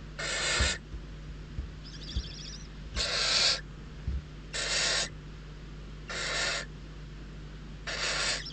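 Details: Hungry barn owl chicks at a nest in Riet Vell Nature Reserve, Ebro Delta, Spain, competing for prey brought by an adult; harsh hissing screeches about half a second long, five in eight seconds, with faint knocks and a steady low hum.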